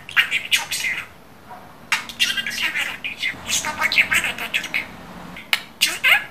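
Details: Talking pet budgerigar indoors, giving quick, raspy mimicked syllables in an almost continuous run, with occasional brief silences and a faint low hum in the room.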